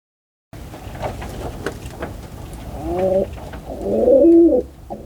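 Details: Pigeon cooing, with low rumbling coos building through the second half into a louder arched coo near four seconds, over faint background clicks.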